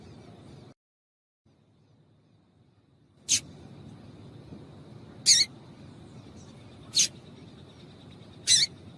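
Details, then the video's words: A short gap of silence, then a female yellow-bellied seedeater calling to stimulate males: four crisp high chips at irregular intervals over a low steady hum. "Fêmea de Papa Capim Chamando para Esquentar Macho"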